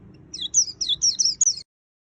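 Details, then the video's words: A white-eye, recorded 2020, sings a quick string of about six high, thin slurred chirps in just over a second in the energetic full-fill style, then the sound stops abruptly. "Suara Burung Pleci Gacor Full Isian - Tiếng chim vành khuyên líu"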